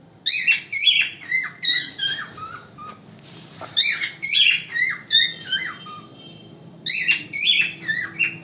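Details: A male pet cockatiel sings naturally at home, loud enough to wake the house: bright warbled phrases of rising and falling whistles, repeated in short bursts.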